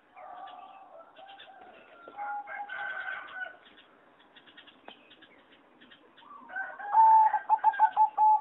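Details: Competition-bred singing zebra dove in a flight aviary, 26 April 2014. Mixed chatter from other aviary birds gives way near the end to a loud whistled note and a rapid series of rolling, stuttering coos.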